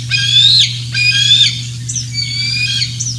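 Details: Bald eagle at Decorah North on the morning of 27 June 2024 while fish are brought and eaten: two clear high whistled squeals ending in a downward slide, followed by softer, broken screeching notes, with a steady background hum.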